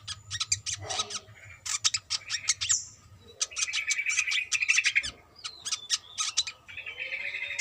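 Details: Brown-throated sunbird female calling the male with quick high chips and twittering runs, a short buzzy trilled passage in the middle, against faint background noise.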